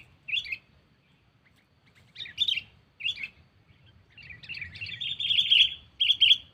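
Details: Sooty-headed bulbul calling a rival, played to lure birds without traps: separate short chirpy bursts spaced about a second or two apart, then a longer run of bright twittering notes.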